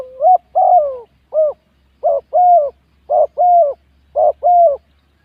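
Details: Spotted dove used as a ground decoy bird, cooing in repeated phrases of a short two-note coo, a long downslurred coo and a brief final note, low and mellow, about one phrase per second; no other sounds.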